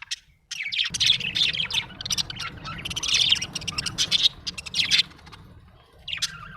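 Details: A happy budgerigar chirps in busy, grating warbles with sharp squeaky notes, over a steady low hum, then falls quiet before a last short burst.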